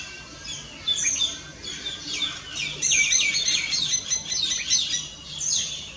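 Common myna giving a busy run of chattering, whistled and squeaky notes, high-pitched and varied, in irregular bursts with a soft background hiss.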